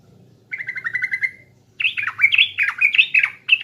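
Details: East Javan sooty-headed bulbul lure song (pancingan) starting with a steady rattling trill of even notes, then after a short silence a loud series of looping, slurred, bubbling phrases.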